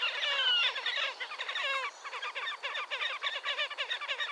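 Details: Wild Slavonian grebe at Gavieze, Latvia, in May 2024: a squealing, whinnying trill that breaks off, then resumes as a rhythmic series of quick nasal notes.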